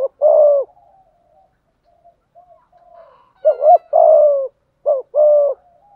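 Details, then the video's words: In the 'giọng thổ', 'thúc gù' cooing style, a spotted dove gives a long low coo, falls nearly silent with soft murmurs, then resumes with a looping double note and long coo, and a short note and coo. "cu cườm gáy đủ bài giọng thổ"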